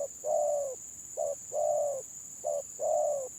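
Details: Spotted doves in a stuttering 'gagap' contest: a pattern of one clipped coo followed by a longer drawn coo, repeated three times, with a continuous high electrical tone in the background.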